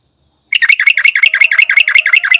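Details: White-faced bulbul: a loud, rapid run of bright bell-like notes, each a quick dipping chirp repeated about eight times a second for two seconds, steady and metallic, after a moment of silence.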